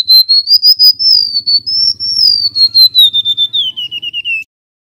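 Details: Golden-bellied gerygone, male, singing persistently: about five dozen rapid whistled notes rising slightly, holding steady, then tumbling lower in a sweet cascade before stopping, over a faint low hum.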